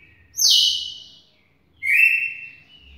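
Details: Red-cowled cardinal song of rich whistled notes: a high sharp note sliding down into a sustained tone, a pause, then a lower held whistle, clean and strong with little background.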